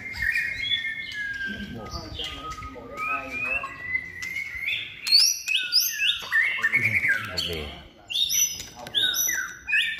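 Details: Third-moult White-rumped shama trained to compete in singing contests, giving bright high whistles, quick upslurs and rapid sparkling notes, building into a dense, high-pitched run before briefly pausing.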